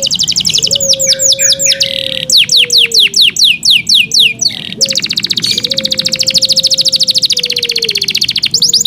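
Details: Song of a kept Yorkshire canary: brisk repeated downslurred notes, then a long rapid rattling trill. A faint low hum runs underneath.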